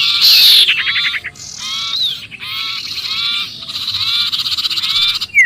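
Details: Sirpu giving a distress call as if trapped, a sound used to lure other birds: dense, harsh, nasal chattering notes in rapid bursts with short gaps, plus a few upward-sliding whistles.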